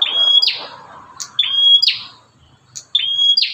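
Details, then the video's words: Bar-winged prinia, a fierce individual whose call attracts other prinias: three quick phrases of a level piercing whistle ending in a scratchy descending buzz, with faint low rustling underneath. "BURUNG PRENJAK GALAK INI SUARANYA BISA BUAT MEMACING BURUNG PRENJAK LAIN"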